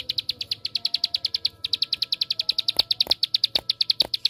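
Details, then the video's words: Bar-winged prinia with 'tembakan' (shooting) song, used as a lure for other prinias: continuous quick, high-pitched chip notes at steady pace, a momentary break, and a few sharp clicks toward the end. "Suara Tembakan Ampuh Untuk Pancingan Ciblek Sawah Anda"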